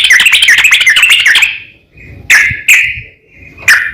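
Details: Yellow-vented bulbul singing to provoke rivals into answering: a fast bubbly chatter for about a second and a half, followed by three loud, separate chirps.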